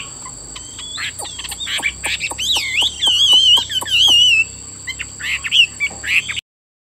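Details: Kept Chinese hwamei in Vietnam, plump with roach-brown wings and tail, sings after a run of regular dry clicks: a long wavering, trilled whistle, then short bright phrases before the sound cuts off; steady high electronic tone and low hum present.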